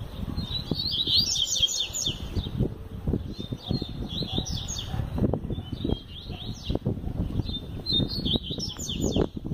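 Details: Double-collared seedeater (coleiro) said to sing all year round, singing hard: short bursts of high, quick twittering notes every two to three seconds, over constant low knocking and rumbling noise.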